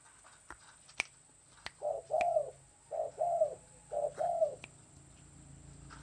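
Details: Spotted dove, known locally as tekukur, gives three soft, low cooing phrases, each a short coo followed by a longer wavering one, about a second apart, with scattered sharp clicks and a faint high whine.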